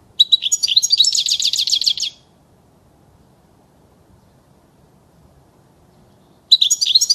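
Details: European goldfinch singing in a clean recording meant for tutoring chicks; a two-second burst of fast, jangling twitters, then over four seconds of silence before another twittering phrase begins.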